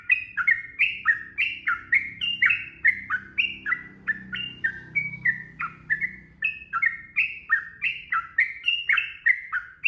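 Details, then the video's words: Sooty-headed bulbul singing continuously in ropel style for masteran: an unbroken stream of clear whistled notes, each sliding downward, delivered about three per second for the full ten seconds over a soft low background hum. "SUARA TRUCUKAN ROPEL GACOR AMPUH BIKIN BURUNG IKUT BUNYI"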